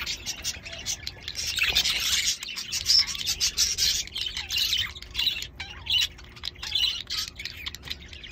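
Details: Young English budgerigars give a busy stream of harsh, scratchy chirps and squeaks, overlapping continuously.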